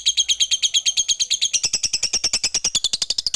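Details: Fighter lovebird giving a long 'ngekek panjang' chatter, played as bait to call rivals and rouse sluggish, silent lovebirds into singing. High, rapid notes repeat about three per second without a break, growing sharper and more clipped midway.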